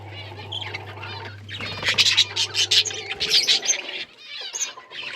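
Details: Budgies in a colony give loud, harsh chattering squawks and rapid chirps in overlapping bursts, louder in the middle, with a low hum that stops partway through.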